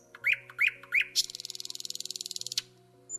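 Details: Common Nightingale of Ukraine, a male singing to declare territory, typical of warm spring nights: three rising whistled notes, then a fast, even, dry rattling trill lasting over a second, over a soft background music bed.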